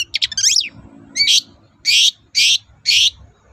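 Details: Quick twittering notes, then four loud, harsh, rasping bursts about half a second apart from a long-tailed shrike. Used as a lure to make other shrikes answer.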